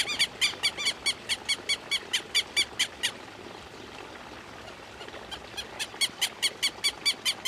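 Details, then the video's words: Southern lapwing: a crisp, regular string of loud grating calls lasting three seconds, a quiet gap with faint notes, then another strong evenly paced burst. "Quero Quero Cantando"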